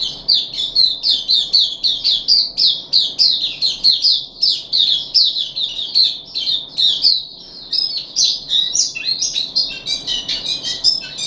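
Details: Caged puff-backed bulbul on its third day of a deworming treatment, recorded 14 July 2021, delivering a long run of rapid, buzzy, chattering notes with scratchy high phrases packed almost without pause.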